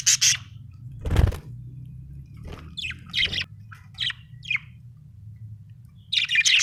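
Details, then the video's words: Budgie chirps, short high squeaky notes in scattered bursts, with a dull thump and a constant low background hum. "budgie chirping sound"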